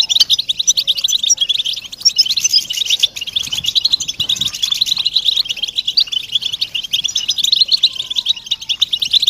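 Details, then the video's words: European goldfinches in group chatter used to stimulate silent males into singing, described as mating and readiness calls: a dense, continuous, loud twittering of rapid high tinkling notes with no pauses. "بتبتة وستستة جماعية للحسون رهيبة لتحفيز الحسون على التغريد علاج صمت الحسون"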